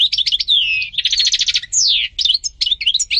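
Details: Goldfinch, the European species, singing a lively high medley: liquid twitters, a descending slurred whistle, a buzzy rattle and quick chirping notes packed closely together.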